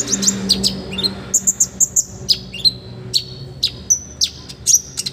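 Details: Energetic olive-backed sunbird song, complete with rich filler phrases, meant to train other birds: high sharp chips, a run of four or five even bright notes, then separate whistled downslurs and flicks.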